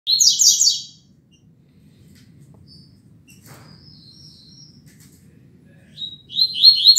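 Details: Rusty-collared seedeater singing the classic tuitui song at 6:30 in the morning on 16 December 2019. Two bursts of rapid, buzzy, descending repeated notes open and close a quiet stretch, with faint background hum.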